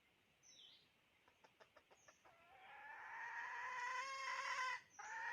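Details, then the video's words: Domestic chicken crowing: faint clucks first, a quick series of short pulses, then a long, rich, gradually rising crow held for about two and a half seconds, followed by a brief break and the start of another call. "Poj qaib dib tsauj thiab seev zoo เสยงเมยไก่ต่อกะร้อง"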